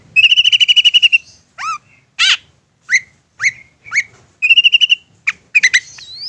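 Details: Insistent long-tailed shrike used as a provoking lure for other shrikes: a fast buzzy trill, then spaced upward-curving whistled notes, a second buzzy trill, and a final rising whistle.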